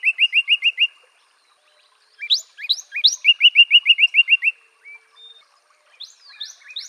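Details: A northern cardinal alternates phrases of rapid repeated whistled notes with bursts of steep rising sweeps, separated by short pauses, with a faint thin whistle near the end.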